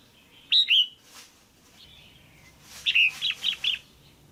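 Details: Female red-whiskered bulbul kept in a cage, calling to rouse a male or to pair: a loud two-note slurred whistle, a soft descending note, then a quick run of four bright chirping notes.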